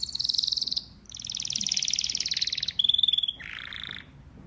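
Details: Male domestic canary singing: dense high trills in long rolling phrases, a pure whistled note, then a lower harsh rattling segment, each phrase repeated quickly.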